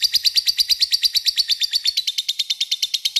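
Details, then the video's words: Lovebird ngekek panjang used as a lure to make a rival join in: a continuous, rapid, rattling chatter of high, scratchy notes, very regular in rhythm throughout. "LOVEBIFD DIAM CUKUP SEKALI DENGAR AKAN IKUT NGEKEK PANJANG PANCINGAN LOVEBIRD MANJUR"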